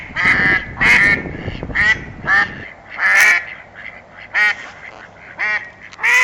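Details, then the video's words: Ducks quacking loudly in a rapid series of harsh, nasal calls, some clustered and others spaced apart, with a low hum in the background. "Sounds of animals - Ducks"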